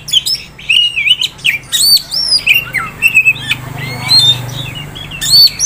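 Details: Captive Oriental magpie-robin kept as a prospect by a Kisaran dealer, pouring out a dense, varied song of looping whistles, harsh squawky notes and high chips, barely pausing between phrases.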